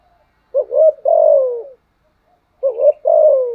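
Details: Decoy spotted dove producing two coo phrases, each beginning with a quick rising double note and ending in a long, smoothly descending hoot.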